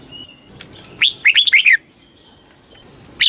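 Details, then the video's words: One quick red-whiskered bulbul phrase in the fast kích bổi manner, five or six bubbly, slurred notes in under a second. Another phrase starts just at the end; a soft, high whistle comes before. "tiếng chim chào mào kích bổi cực nhanh"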